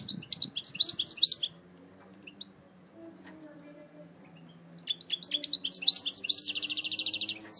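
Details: Eastern Algerian European goldfinch, a kept bird valued for its strong singing: lively twittering phrases, a long quiet gap with faint low hum, then renewed chattering song ending in a rapid buzzy trill.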